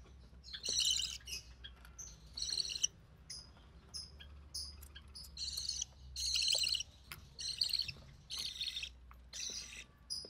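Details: Recessive pied budgerigar chick, hatched early June 2020, the only survivor of three, from a white recessive pied father and albino red-eye mother, while the mother feeds it; harsh buzzy raspy calls in repeated bursts about a second apart, softer chirps between.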